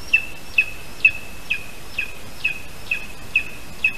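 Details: Lesser spotted eagle at a nest in a spruce in Latvia, 8:21 AM on 3 August 2019, as the male brings a small bird as prey. High, thin yelping notes with a short falling tail, repeated about twice a second over steady background noise.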